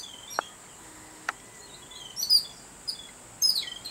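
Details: Babbler, a noisy group-living bird, excited at the sight of a cat; after two sharp clicks and a quiet stretch, scattered shrill high chirps come in short bursts against a continuous high-pitched whine.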